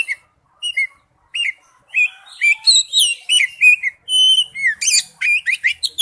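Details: Oriental magpie-robin in wild-type forest song, starting with spaced whistled notes, then building into quick varied phrases of slurs, pure tones and sharp high notes.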